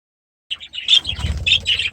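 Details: Grown young budgerigars in their new aviary; after a moment of silence, high scratchy chirps start up over a low rumbling flutter.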